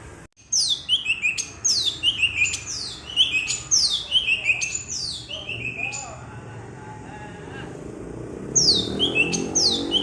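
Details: Bebeci-style song of a green leafbird in Alas Purwo, Banyuwangi: a rapid series of clear whistled notes, each sweeping sharply downward, repeated about twice a second, with a faint low rumble behind.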